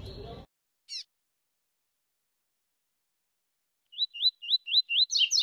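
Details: A captive Double-collared Seedeater, one of a breeder's young birds, gives five quick, rising whistled notes, then a buzzier high trill; the bird's 'cut' (choppy) song is the topic. A brief chirp and a moment of a man's voice come first.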